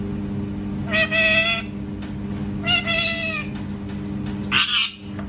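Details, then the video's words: A parrot imitating a cat produces three loud, nasal meow-like calls, each held about half a second with rich harmonics, the last rougher and shorter, against a low background hum. "PARROT MAKING CAT SOUNDS"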